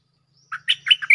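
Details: Cream-vented bulbul calling its mate for a lure: a brief run of four quick chattering notes ending on a higher, ringing note, with a faint low hum beneath.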